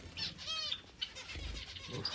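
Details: Pet finches at home: scattered sharp chirps and a brief sliding whistled note, separated by short pauses, with soft fluttering and background noise.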